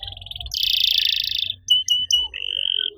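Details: Canary master song for coaxing other canaries to sing: a dense buzzy trill held for about a second, followed by a few short clipped whistles and a sustained thin whistled tone.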